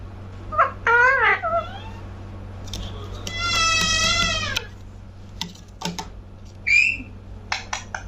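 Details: Talking pet parrot, known as mithu, indoors: wavering speech-like phrases, a long drawn-out harmonic note, then scattered sharp clicks and a short whistled note, with low room hum behind.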